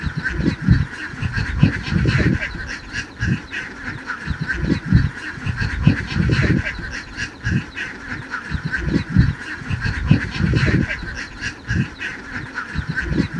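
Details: Many domestic ducks crowded together on a large Cambodian farm produce a steady, blurred chatter of overlapping nasal calls, punctuated by loud low thuds and rumbles roughly every few seconds.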